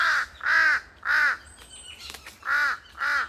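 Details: A pair of large-billed crows calling noisily in a forest, their cries echoing. Five harsh, arched caws, each about a quarter second, at uneven spacing with a short gap midway; faint clicks and a thin whistle in between.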